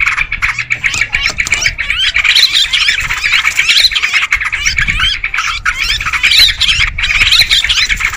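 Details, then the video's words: Many sooty-headed bulbuls chattering loudly for a bird-luring recording, as a dense wall of harsh squawks and twittering notes with a few short breaks. "Suara pikat trucukan ribut"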